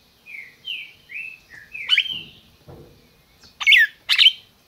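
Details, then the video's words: Captive red-crested cardinal kept by a licensed breeder in Brazil, calling and singing: soft whistled notes rising then falling, followed by sharp bright chips and a burst of harsher notes, with light background rustle. "Cardeal MAQUINA chamando e cantando"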